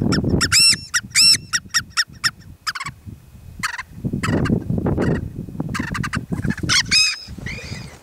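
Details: A male white-tailed ptarmigan gives its display call with a flutter flight near the top of a ridge near Sunrise, Mt. Rainier National Park: a quick burst of harsh, nasal clucks slowing into scattered hoarse notes and a final cackle, over low wind rumble.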